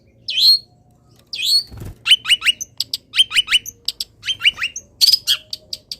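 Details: After misting, a caged cendet (long-tailed shrike) sings a full 'isian' song in morning sun: a couple of slurred calls, then rapid runs of sharp chips and clipped whistles in quick irregular bursts.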